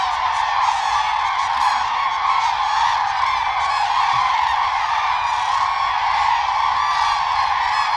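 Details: Common cranes calling during their mating dance, in which birds leap, flap and bow while calling; a continuous mass of overlapping honking, trumpeting voices with a few louder notes rising above the crowd.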